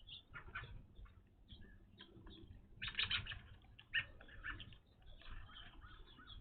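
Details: Evening grosbeaks at a bird feeder, at a location where they had not been seen before: short, bright chirping call notes scattered throughout, with clusters around the middle, over soft fluttering and feeder clatter.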